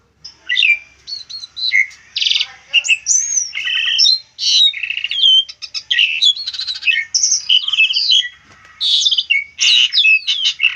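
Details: Asian pied starling song used for training other songbirds: a dense, varied run of loud whistles, harsh buzzy bursts and chattering notes, mostly high-pitched, with only short pauses between phrases.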